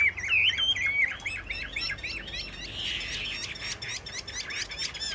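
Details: A caged Chinese hwamei in a rack singing contest starts with a clear, bright whistled phrase, then continues with softer, busy warbling over background noise.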